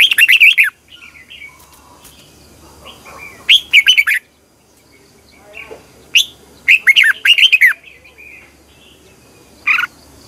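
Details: Red-whiskered bulbul singing a morning training song, the long twisting double-voice style used to provoke other bulbuls to sing; several short bursts of loud slurred whistles spaced a few seconds apart with soft calls between.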